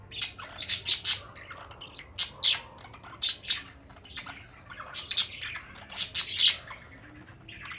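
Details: A budgerigar chattering to itself gives bursts of scratchy, squawking notes and quick warbled chirps.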